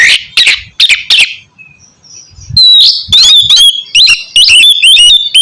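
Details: Oriental magpie-robin (kacer) song played to stimulate birds that will not sing: raspy opening notes, then fast, bright whistled phrases.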